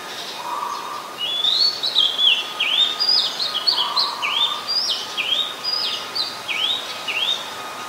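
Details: Oriental magpie-robin in Ubon Ratchathani, Thailand, 7 January 2021, recorded on a Nikon P1000; a quick run of high upslurred whistles repeated about twice a second, with a lower buzzy note heard twice underneath.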